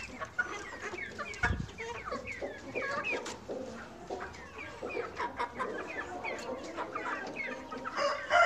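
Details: Several hens on a farm cluck and chatter together in a busy, overlapping stream of short, clipped notes, with a few louder squawks near the end.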